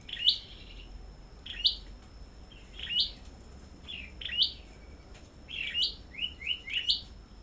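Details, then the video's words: Black-throated bushtit at a bird-keeping farm in competitive singing, giving thin, very high squeaky phrases about every second and a half, quickening into rapid short notes near the end, over a steady high hum. "Sâu Đầu Đỏ Hót Đấu Đủ Loại"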